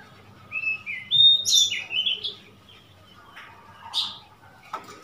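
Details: Oriental magpie-robin on 3 March 2021, giving a short string of whistled, warbling notes that rise and fall, followed by scattered sharp chips against a constant low hum.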